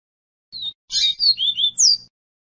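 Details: Pure viviti song from a double-collared seedeater, used as a model for young birds, given as one brisk phrase of high whistles that slur and fall in pitch, over a soft low hum.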